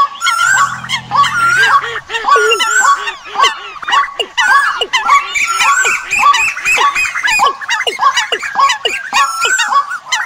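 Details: Bird calls used as a migration-season decoy: fast, uneven series of short whistles that swoop downward, roughly one a second, layered with sharper high notes; a brief low hum near the start.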